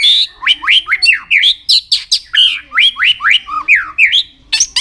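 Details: Captive-style training song of a white-rumped shama, a lively string of short upslurred whistles delivered about three per second, rich and varied, with a faint low hum beneath.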